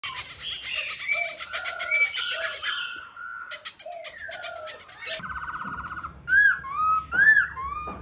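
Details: Caged silver-eared laughingthrush clinging to its cage, singing bright whistled phrases with rising and falling slurs and fast chattering notes, loud arched whistles near the end.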